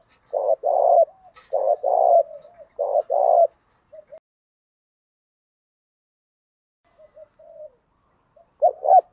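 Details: Spotted dove coos for training and stirring caged male doves: three quick throaty two-part phrases in the first seconds, then a long quiet gap with soft murmurs, and another phrase beginning at the close.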